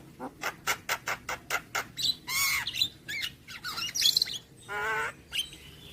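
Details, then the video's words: Javan myna delivering a full-fill song: a regular series of short sharp clicks, then drawn-out harsh squawks and a high whistled note, ending in a long grating rasp. "Kicauan Jalak Kebo Maput Full Isian"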